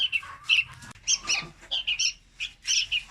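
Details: Young red-whiskered bulbul song, played as a trapping lure. Short squeaky and buzzy notes come in quick clusters with brief pauses between them, shrill and uneven in tone.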